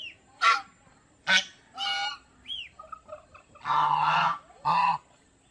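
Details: Domestic geese at Planet Earth Aquarium in Mysore give loud, harsh, rich honks in about six separate bursts over five seconds. The early honks are short and sharp, and the final two are longer and more nasal. Softer, shorter notes sound between them.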